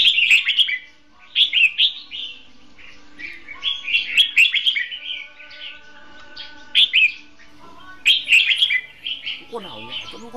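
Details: Red-whiskered bulbul decoy in a cage for trapping, singing hót đấu fighting song: bright chirpy warbled phrases repeated every one to two seconds, ending with a softer descending series of notes.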